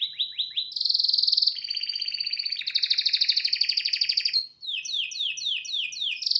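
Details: Male canary singing indoors in front of a television: a lively sequence of repeated downslurred notes, rolling trills at changing pitches, and a final run of quick sweeping whistles.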